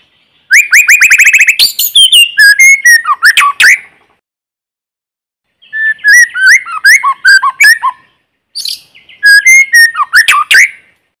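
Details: White-rumped shama, a decoy bird singing to rouse rival birds, in forest: a fast rising trill of clear whistles, then bursts of varied sweeping notes and sharp clicks, in three phrases separated by pauses, with no background noise.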